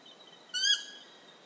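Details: Ecuadorian Stygian owl heard in a lone, tense, nasal call near a quarter second long, swelling slightly before fading, with steady insect trilling in the background.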